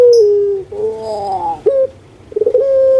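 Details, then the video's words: Pet spotted dove of the puter pelung style, known for a thundering voice: the tail of a held note, a quavering multi-toned phrase, a short sharp note, then rapid stuttering leading into another steady tone. "Suara MENGGELEGAR Postur JUMBO ( Burung Puter )"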